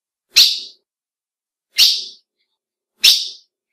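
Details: Female ultramarine grosbeak call, used to excite males, which recognise the female's call: three short, sharp, bright chipping notes, each falling away quickly, spaced about one and a half seconds apart in silence.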